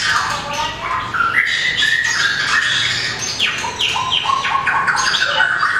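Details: Long-tailed white-rumped shama singing competitively, tail flicking while hopping along perches; continuous whistled notes mid to high pitch with repeated short phrases and rough scratchy calls.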